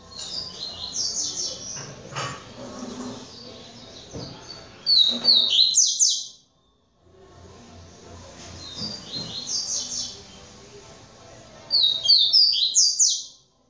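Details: Double-collared seedeater from a breeder, singing the Polish style song twice: soft twittering phrases build into a loud finale of rapid, ringing whistled slurs, then silence and a repeat, with faint room noise.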